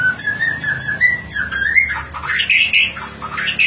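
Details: White-rumped shama singing in ngeplong style while set out in the morning dew, seeking a rival: flowing whistled phrases that wander up and down, then climb into higher, brighter notes, over a faint low hum.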